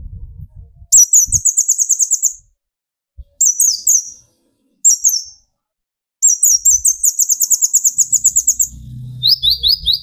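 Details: Sunbird (kolibri ninja) singing to provoke rivals: long rapid high trills of repeated sharp notes, broken by short gaps, then a series of quick descending chirps at the end, with faint low rumbling and knocks behind.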